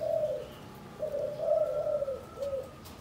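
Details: Decoy spotted dove in a cage, Cần Thơ, Vietnam, being accustomed to sun and ground placement. Offers a short run of low, hollow coo notes over a quiet outdoor background.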